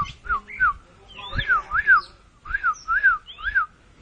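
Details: Oriental magpie-robin, locally kacer, swelling up like a balloon during mbagong mbesi singing: rich arched whistles, mostly rising then falling, paired in quick couplets about every half second, with thin high overtone notes.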